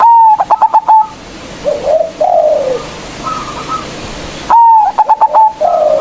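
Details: Local zebra dove with a big voice, a lure recording for provoking rivals: a loud whistled coo, then a quick staccato run of about five clipped notes, with softer falling coos from other doves between phrases, repeated near the end.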